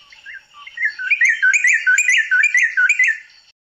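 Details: A Southern African White-browed Robin-Chat gives rich, whistled phrases that quickly repeat and grow louder, about two notes a second, with no other sounds.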